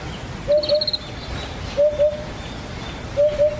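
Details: A vagrant Eurasian Hoopoe at the foot of the Yatsugatake mountains, Japan, gives soft, low hollow 'poo-poo' notes in pairs about every one and a half seconds; another bird's thin high whistle is heard briefly.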